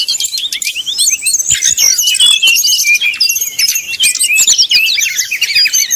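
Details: Srdc bird in a fast 'nyuling' song used as a lure to provoke rival birds to sing. High, dense run of twisting whistles and chirps with quick trills. Nothing else stands out.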